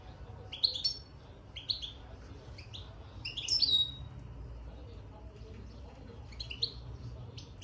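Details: Caged European goldfinch twittering after entering its cage: scattered short high chirps and tinkling notes in small clusters, separated by pauses, over a low background rumble.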